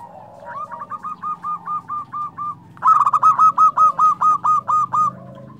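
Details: A local zebra dove, used as a lure or tutor bird to provoke other zebra doves into answering, gives a rapid string of soft, bubbling coos, then a louder, clearer second run.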